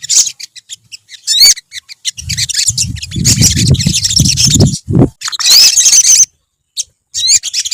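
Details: Group of olive-backed sunbirds giving scattered high chirps and slurred whistles, then a thick stretch of overlapping twittering, accompanied by loud low rumbling and knocking for several seconds.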